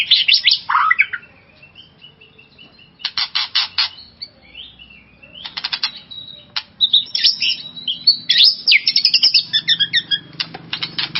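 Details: Kept white-rumped shama singing to provoke another shama: sweeping whistles, repeated harsh rattling bursts, and a long closing stretch of rapid varied whistled and chattering notes.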